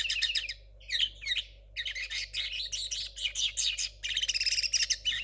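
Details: A young 2022 linnet hybrid with a still-dirty song chirps rapidly in short bursts, then settles into a long stretch of mixed twittering, buzzy trills and high notes, a faint hum behind it.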